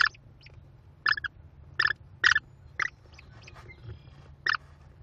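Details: At a Cornell nest on 18 May 2021, an American kestrel mother feeds five hungry chicks, which beg with loud raspy squeals in short bursts roughly every second, over a low steady hum.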